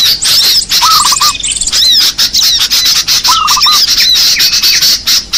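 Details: Small birds calling for luring: rapid high twittering and sharp chirps packed tightly together, with two short lower stuttered trills of quick repeated notes about two and a half seconds apart.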